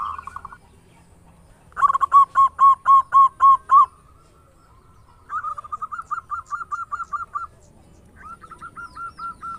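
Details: Lure recording of a loud-voiced local zebra dove singing eagerly: three bursts of rapid, rolling cooing notes, the first loud and ringing, the later ones softer, with pauses between.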